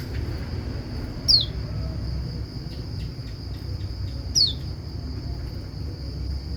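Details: White-eye call meant to make other white-eyes respond: two thin, high, sharply falling whistled notes about three seconds apart, over a steady high insect drone and low background rumble.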